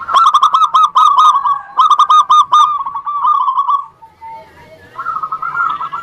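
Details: Zebra dove song, local birds with big voices, played to prompt lazy doves to answer and sing: fast stuttering runs of rich cooing notes, two bursts, then a softer trailing coo and another short run.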